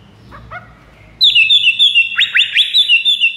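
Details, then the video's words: White-rumped shama song used to lure rival shamas. Faint notes give way to a loud run of high, clear whistles with quick upward-sweeping slurs, repeated in a steady rapid series. "PIKAT MURAI BATU LAWAN"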